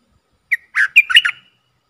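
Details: Decoy red-whiskered bulbul calling to draw in wild birds, 23/07/64: a brief opening chirp followed by a quick, bubbly string of whistled notes that rise and fall, finishing in a thin drawn-out whistle.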